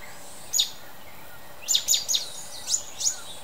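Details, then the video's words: Mountain bulbul calling: a single sharp, high, descending note, then a quick run of five similar chipping notes close together, over a low steady background hiss. "綠翅短腳鵯 Mountain Bulbul"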